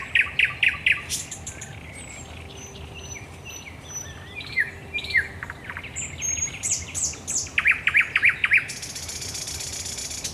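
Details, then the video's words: At night on 10 May 2021 at the Raszyn Ponds in Poland, a thrush nightingale opens with a quick burst of repeated notes, moves through varied whistles and clicks, delivers another rapid rattling series, then a broad hiss ends the passage. "Nocny śpiew słowika rdzawego na Stawach Raszyńskich"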